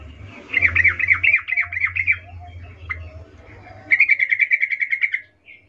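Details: A female sooty-headed bulbul in 'ngecuplik' arousal calling for a male gives two rapid chattering bursts, the first harsher and uneven, the second a clean even string of notes, over a steady low hum.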